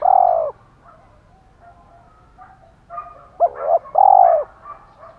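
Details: Decoy spotted dove, 'thổ pha' voice style. The tail of a long coo opens, followed by faint scattered soft notes, then one complete phrase: a wavering double note and a sustained low coo.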